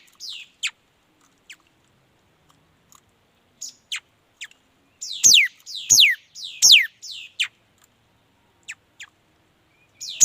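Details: Repeated short high chips and thin notes lead into a burst of loud, steeply falling whistled sweeps from a mi dat bird, three to four in close succession, before the song thins back to scattered chips.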